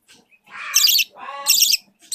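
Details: A 4-week-old hand-fed budgerigar chick at feeding time gives two raspy, high-pitched calls about three-quarters of a second apart, each starting with a rising squeak and breaking into a harsh hiss.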